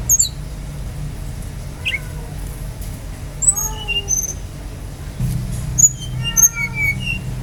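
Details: Brown-chested jungle flycatcher song played to draw other birds into singing: scattered sweet whistled notes, some sliding down and some rising, spread at varied pitches with short gaps and a low background hum.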